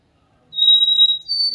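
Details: White-throated Sparrow song, a common winter sound in the South: a long, pure, very high whistled note held steady, then a step up to a second, higher whistle.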